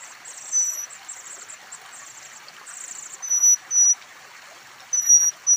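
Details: Kacer air chicks calling while being fed at a nest on a steep cliff in the wild. Short, sharp, high whistled notes come in brief bursts, with a faint high buzzing and running water behind.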